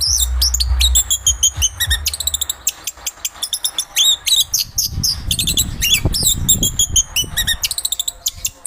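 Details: Chestnut-capped thrush (Zoothera interpres), a Southeast Asian forest thrush, pouring out a dense stream of rapid high chips and twittering notes in short bursts, with a low rumble underneath in places.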